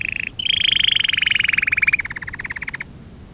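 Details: Canary trill from a training recording for young canaries: a short buzzy note, then a loud sustained pulsed trill that drifts gradually lower and slows into distinct separate beats before fading.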